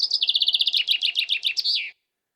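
A Eurasian wren's loud, high song lasts about two seconds: a rapid run of sharp repeated notes breaking into quick, tumbling trills. No other sounds.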